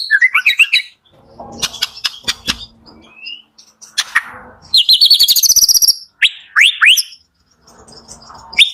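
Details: White-rumped shama singing in the morning as a lure to get reluctant shamas singing: quick descending whistles, sharp clicks, a dense high buzzy trill and upward-sweeping whistled notes separated by brief gaps.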